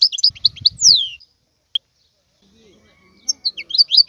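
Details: A brief phrase of twittering notes and a downslurred whistle from a wild European goldfinch, followed by a short quiet spell and a soft low rumble, then renewed chirping.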